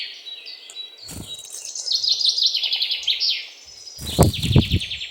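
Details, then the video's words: Great tit giving quick runs of bright, high chirping notes, several per second, dipping and rising in pitch, with low thumps and knocks. "Great Tit / මහ ටිකිරිත්තා"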